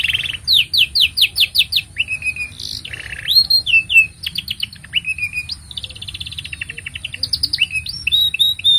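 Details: Long canary song for teaching young birds and starting silent canaries: an opening burst of fast repeated downward whistles, then alternating buzzy rolls, chopped trills and bright rising notes, all unbroken.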